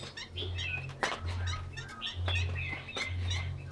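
A Chinese hwamei sings varied, clear whistled phrases of rich, rapid notes over a steady low hum.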